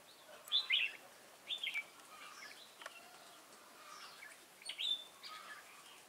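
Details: Competitive singing by a newly caught wild red-whiskered bulbul, 22 October 2018: loud lilting whistled phrases opening strongly, then softer chirps, and a final bright rising-falling phrase near the end.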